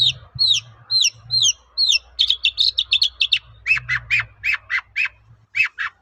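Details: Long-tailed shrike singing to provoke answering shrikes: repeated high downslurred whistles, then fast chattering buzzy notes running on steadily, over a low background hum.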